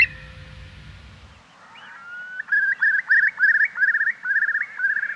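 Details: Eurasian curlew bubbling song, lyrical and yearning, full of pathos, from fields on Orkney; after a brief rising whistle, a fast run of rapid bubbling notes repeated several times a second, each with a sharp upward inflection, ending in a steady trill.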